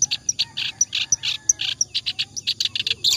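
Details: Nonstop clamorous reed warbler song, used for training other birds: grating croaky notes interleaved with short piercing high squeaks in quick alternation, rhythmic and unbroken.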